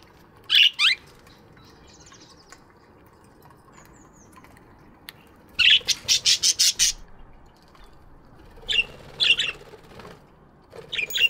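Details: Chirping budgies in an aviary in the morning; scratchy chirps open, then a rapid run of about seven evenly spaced buzzy notes, followed by more scattered chirps.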